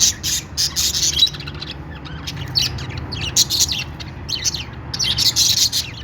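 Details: Budgerigars singing their happy sound, bursts of bright, buzzy high chirps in quick clusters separated by short pauses, over a faint low hum.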